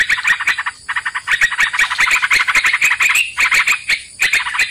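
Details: Sooty-headed bulbul sounds used to lure birds into a trap: thick, rattling chatter in long runs with two short breaks, dotted with sharp clicks over a constant high electronic whine.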